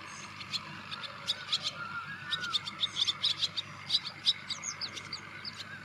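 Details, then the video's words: Wire-tailed swallow (Hirundo smithii) calling: rapid, dry, high twittering chirps and clicks in loose bursts, thickest in the second half, with a faint lower warbling note early on over a steady low background hiss. "Wire-tailed Swallow Call"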